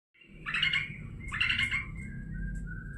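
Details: Long-tailed shrike gives two harsh, grating bursts with a nasal whistled tone underneath, followed by a thin drawn-out whistle. A low rumbling background hum runs throughout.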